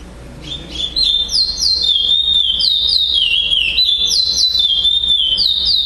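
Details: Caged chestnut-bellied seed finch, first-place winner at a singing tournament in Florianópolis, Brazil, on 11 December 2011, delivering a loud, fast, continuous run of clear whistled phrases that swoop and slur up and down, with sharp higher notes dotted through.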